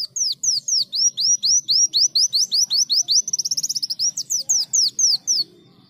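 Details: Greater green leafbird singing actively, imitating a canary: a long chain of high, down-slurred whistles, briefly broken by a rapid rattling trill midway, then more falling whistled notes before fading.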